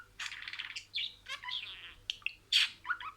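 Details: Talking budgerigar kept as a pet, saying words: quick raspy, buzzy syllables and squeaky notes run together, ending with a louder harsh burst and a few short chirps.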